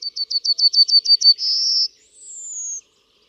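A Yellowhammer sings a quick string of about nine high, dry notes, then a buzzy held note, ending on a higher drawn-out note that slides slightly down.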